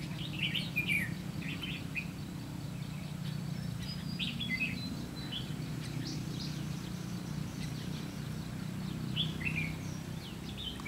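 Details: Red-whiskered bulbul recorded during trapping with a decoy bird on 30 May 2016: quick, bright, chirpy phrases repeated through the recording over a steady low rumble.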